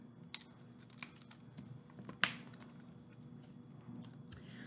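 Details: Indoors, sharp dry clicks and snips sound irregularly over a low room hum, with no bird or other animal voice.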